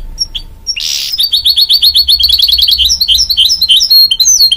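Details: Goldfinch-canary hybrid (mule), bred from a goldfinch crossed with a canary, singing a fast, bright high song: a harsh burst, then a long rapid series of twittering, chirpy notes, some slurred and descending, with a faint steady hum underneath.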